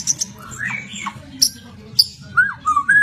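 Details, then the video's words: White-rumped shama: brief sharp high notes followed by short whistled slurs, uneven spacing, low hum behind. "Kicau Mania Burung Murai Batu"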